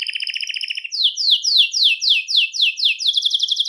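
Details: Song of a Belgian canary used to attract and call canaries: a low rolling trill gives way to about nine loud descending whistled slurs, closing in a rapid high trill.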